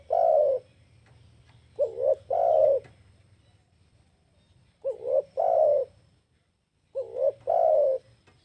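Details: Spotted dove calling to lure other birds: repeated phrases of two short rising notes and a long, warm coo, spaced about two to three seconds apart, with a steady low hum underneath.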